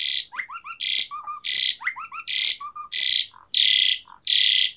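An Asian pied starling sings a chattering, varied song: harsh loud bursts about every 0.7 seconds, interleaved with short whistled and squeaky notes.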